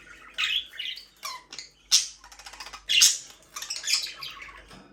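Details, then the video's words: Pet budgies chattering for a lonely bird: dense, high twittering chirps with harsher squawks in irregular bursts, roughly one each second, separated by short gaps. "Bird chirping sounds relaxing"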